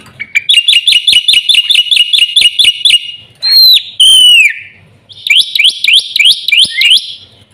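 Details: Black-winged myna delivering a quick series of clipped whistled notes, then two loud downward-swooping whistles, then a fresh run of rising, slurred notes.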